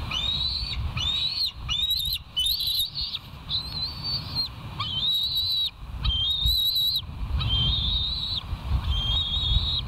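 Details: Bald eagles on a live nest cam at West End, recorded on 29 July 2023 at 05:15: high, thin whistled calls with harmonics, each level or slightly falling, given in a string of about a dozen notes over low steady rumble.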